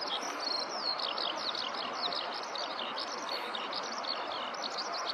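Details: Close-up Eurasian skylark singing from the ground in a rice field; rapid warbled phrases of high slurred whistles and chirps run continuously, with steady rushing background noise beneath.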